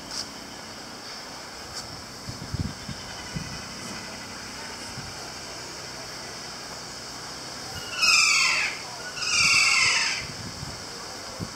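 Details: One of two keas at Zoo Amsterdam in 2017 gives two loud, harsh, drawn-out screeches a second apart, each sliding downward, after a quiet stretch with faint background noise.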